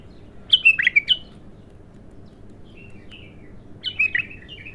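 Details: Raw bulbul singing for the first time, starting with a loud tumbling whistled phrase, then soft twittering notes, then another bright slurred phrase, with low hum in the background.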